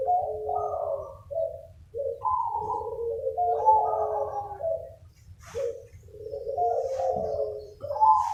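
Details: Used as a lure, a crowd of village zebra doves calls in answer to one another: layered, purring, trilled coos rising and falling, with short pauses and a few faint clicks between phrases.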